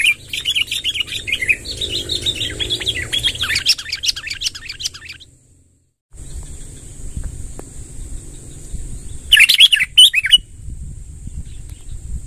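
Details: Sooty-headed bulbul, wild birds being drawn in, giving a long rolling song: fast chattering notes around the upper-middle range for about four seconds, a silent gap, then a brief loud burst near ten seconds over steady background hiss.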